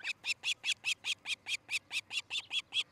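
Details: Osprey calling from its nest in Charlo, Montana, just after 6 a.m. on 13 July 2018: an even, steady series of about fourteen high, piercing chirps, roughly four or five each second.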